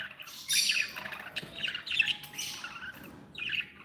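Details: Several happy pet budgies warble and chirp together in overlapping scratchy phrases, a loud burst at half a second and further buzzy calls, over a hissy room background.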